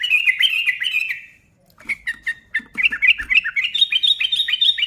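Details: Energetic sooty-headed bulbul song to stir other bulbuls into singing: a chattering phrase, a brief silence, then sharp separated chirps speeding into a rapid twittering run.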